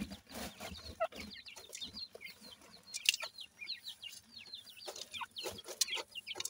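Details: Grey francolin chicks playing together: many thin, high, downslurred peeps, rapid and irregular, over soft scratching and tapping noises.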